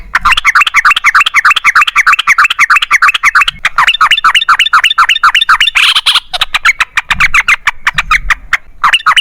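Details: Excited yellow-vented bulbul in a long, rapid-fire lure song to prompt other bulbuls to sing: a dense, continuous stream of fast, wavering chirps rising and falling, barely pausing, with a brief harsher burst midway.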